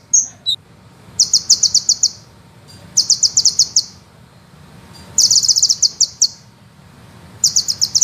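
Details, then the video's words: Master recording of a sunbird for training songbirds, a fast rolling song with long bursts. Short dense, very high trilled bursts of about a second come roughly every two seconds, with brief chips between them and quiet gaps. "suara penghisap madu ngeroll nembak panjang"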